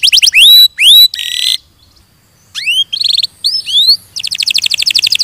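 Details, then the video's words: Canary song: upswept whistled notes climbing to a high peak, a buzzy dense burst, a pause, more rising slurs, then a fast even trill of rapid repeated notes. "Suara Burung Kenari"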